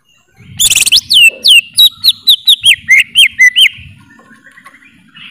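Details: Greater green leafbird singing a quick series of about a dozen clear whistled notes, each sliding down, in a fast steady run that fades into softer chirps, over a faint low hum.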